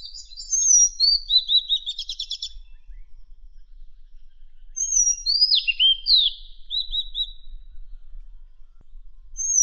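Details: Song of a Madagascar magpie-robin for training contest songbirds: a stuttering high trill with buzzy notes, a long pause, then sweeping falling whistles followed by a short rattle and a final thin note.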